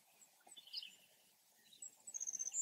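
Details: A Savannah Sparrow answers another sparrow in a field nesting site. A faint chip is followed by a brief, very high, rapidly pulsed trill that starts the song, and the recording cuts off at the end.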